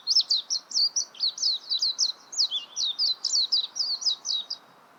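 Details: Warbling white-eye with a continuous high, sweet twitter of about 15 quick slurred notes over four and a half seconds. Some notes dip lower mid-phrase before the song stops abruptly.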